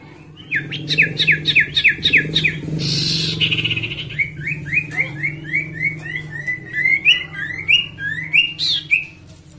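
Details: Sooty-headed bulbul, a kept bird, sings a lure song to make rivals sing: a rapid series of sharp chirps, a short noisy burst, then a long string of rising whistled notes over a low hum.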